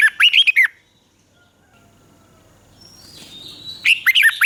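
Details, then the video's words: Red-whiskered bulbul kept caged in Thailand, singing a southern master-style song used to rouse birds and train young ones: a bubbly phrase of warbled whistles opens, a near-silent pause follows, then another similar phrase closes. "เสียงนกกรงหัวจุก สำหรับต่อ หรือ เปิดให้นกคึก"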